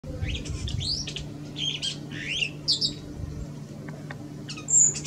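A Superb starling gives a quick run of varied, slurred whistles and squeaky chatter, with brief pauses between phrases, over a low steady hum.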